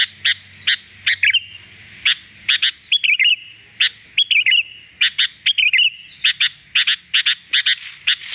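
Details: Sooty-headed bulbul recorded as a training track to make caged birds sing: sharp, high chirps in irregular bursts, mixed with short warbled slurred phrases, and a faint low hum in the first seconds.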